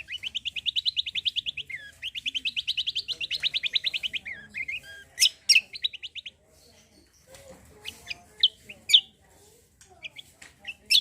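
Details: Javan grey-throated white-eye in lively song, used to spur other birds: two long, even, high rattling trills, then scattered sharp chirps and short whistles separated by quiet moments.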